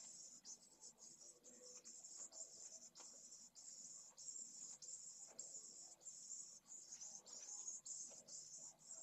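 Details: Pallid swift chicks begging for food at their nest, from a live nest camera at Esclavas de Jerez, Jerez de la Frontera, 8 September 2022: a shrill, high buzzing in short bursts with brief breaks, plus soft low rustling.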